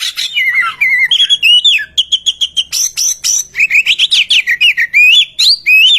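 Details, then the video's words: Lure song of an Oriental magpie-robin meant to set other birds singing: varied clear whistles, falling and rising slurs, runs of rapid repeated chips and a bright high note, all strong and clean. "Kicau Merdu burung murai kampung suara pemikat"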